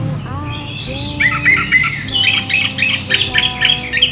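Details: Chestnut-capped thrush in loud, clear rolling song used as a lure and training song: rapid high chirps and trills, about four a second, over a steady low tonal hum.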